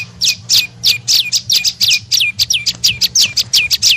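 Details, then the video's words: Tailorbird (prenjak lumut) call used as a lure to attract birds: fast series of high notes sweeping steeply down, roughly three each second, clean and loud with a soft low hum. "SUARA PIKAT BURUNG PRENJAK LUMUT PALING AMPUH"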